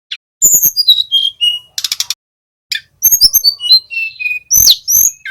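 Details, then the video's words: Young male little pied flycatcher (tledekan gunung), caged, practising its trill ('ngeroll'), used as a lure for other cage birds: sharp clicking bursts mixed with clear whistled notes that step downward, with pauses between phrases. "TLEDEKAN GUNUNG BELAJAR BUNYI NGEROLL"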